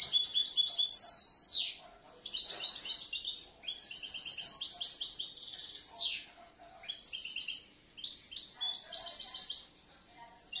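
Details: European goldfinch from the previous year, a caged bird that mixes and composes its song, pours out rapid high twittering runs punctuated by swooping downward slurs, in phrases separated by short gaps.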